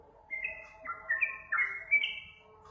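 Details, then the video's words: Sooty-headed bulbul lure song, heard briefly as three or four clear whistled notes that step down and then rise again, over faint low background noise. "Suara pancingan trucukan"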